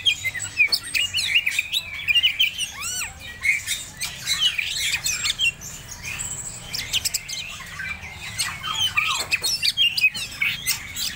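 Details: An Oriental magpie-robin of the Medan type, in breeding condition, sings a fast, varied run of clear whistles, rising sweeps and harsh squawky notes, almost without pause, close and loud.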